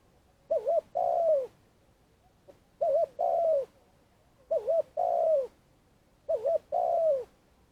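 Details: Spotted dove lure bird from Vietnam, calling long to draw wild doves toward traps; four phrases of a short wavering coo plus a drawn-out sliding coo, about every one and a half seconds.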